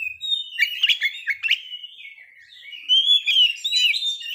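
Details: White-rumped shama song used to bring on breeding condition and fighting mood: clear whistled notes and quick trills, then a long, gently rising whistle and a renewed burst of warbling.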